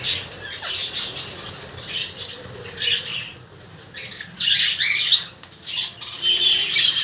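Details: Indian ringneck and lovebird in a fight, sounding as broken bursts of harsh, buzzy screeches separated by short pauses, intensity rising toward the end.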